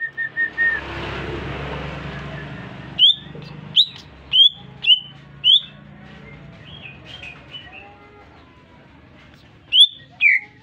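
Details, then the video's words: Chattering song from a newly purchased caged greater green leafbird set off by whistling: a faint whistle at first, then a row of five sharp high chirps spaced about half a second apart, softer twittering, and two final loud notes. "Cucak Ijo Gacor baru beli kena siul langsung ngoceh"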